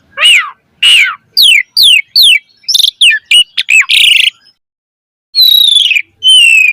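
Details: Asian pied starling singing loudly as a training lure for caged birds: repeated steep downslurred whistles about every half second, a quick run of chirps and a harsh burst, then after a pause two buzzy, harmonic whistles.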